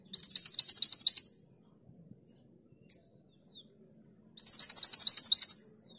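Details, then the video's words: A bushchat in strong song, used as a training tutor for pet birds, gives two high, bright "tulit tulit" bursts, each a fast run of about ten chirping notes lasting just over a second, separated by a few seconds' quiet. "Mantenan gunung gacor nembak tulit tulit"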